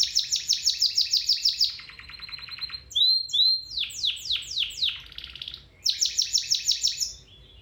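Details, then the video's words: Domestic canary singing, a recording meant to train canaries to start singing again or improve their song: fast repeated high trills in tours, a low rattling section, downslurred whistled notes, then another rapid high trill. "Canary Singing 4k Video [Training for your canary]"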